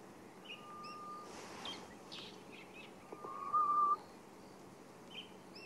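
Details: Grey-headed bushshrike (Malaconotus blanchoti) at Sabi Sand at sunrise, 23 March 2016, a bird often heard but hardly ever seen: a long, eerie, level whistle, faint then louder and held nearly a second; small birds chirp behind.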